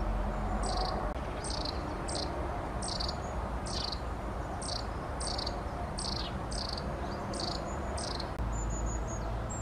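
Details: Long-tailed tit (Aegithalos caudatus), call.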